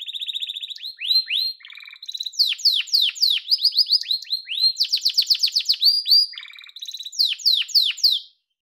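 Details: Loud song of a yellow domestic canary: quick rising whistled notes repeated several times a second, a low buzzy roll, then long runs of sharp sweeping chirps before falling silent.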